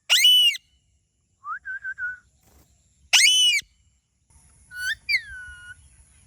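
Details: Parrot calling in a natural setting: loud harsh stacked screeches at the start and again near three seconds, with short whistled wavering notes between and a rising-falling whistle near the end.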